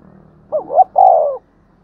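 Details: Spotted dove in thúc gù style for luring doves: a single phrase of two quick rising notes and a sustained, slowly falling coo, mellow and low.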